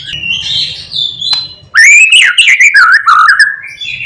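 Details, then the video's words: A white-rumped shama sings in the morning, its song stuffed with borrowed phrases to stir other shamas. A soft, wavering whistle leads into a sudden loud run of rising and falling whistled notes with a quick stuttering rhythm. "Pancingan MURAI BATU GACOR PAGI HARI supaya murai jadi EMOSI BUNYI Full isian"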